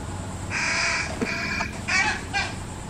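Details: Fish crows from a resident backyard family feeding a single fledgling give harsh, nasal caws: one long drawn-out call, then two shorter, rougher ones, over a low steady background hum.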